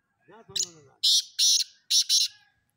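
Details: Black francolin calling at a voice contest: faint low harmonic sounds open, followed by four harsh, grating bursts delivered as two closely spaced pairs with a brief gap between them.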